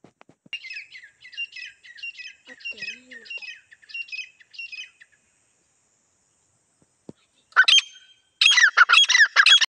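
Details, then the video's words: Female grey francolin calling in jungle, a call used to lure birds for hunting: a run of quick, scratchy two-part notes repeated about twice a second, a brief pause, then louder harsh, rapid bursts. "female titar ki shekar ki awaz"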